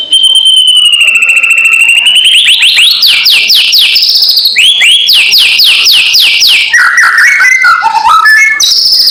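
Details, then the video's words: White-rumped shama giving a loud kretekan lure call to provoke rivals: a long pure whistle, then a fast run of repeated descending slurred notes, ending in lower chattering, twittering phrases. "SUARA PANCINGAN KRETEKAN MURAI BATU KERAS BIKIN EMOSI SEHARIAN"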